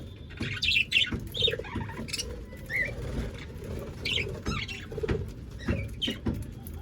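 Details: A flock of about 25 pairs of aviary budgerigars chatters in short, scratchy chirps and warbles, overlapping at an uneven pace, with wing flutters and background hum.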